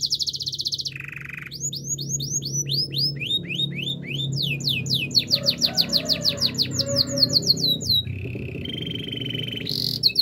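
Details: Belgian canary singing a powerful training song: a buzzy high trill and a lower rolling tour, then long runs of fast downslurred sweeps and rattling rolls, closing on steady whistled notes over a faint low hum.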